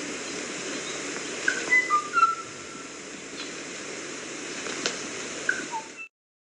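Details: Kauai ʻōʻō singing a sparse series of fluty whistled notes, single and slurred, in two loose phrases separated by a quiet gap, against constant soft hiss before the recording cuts off.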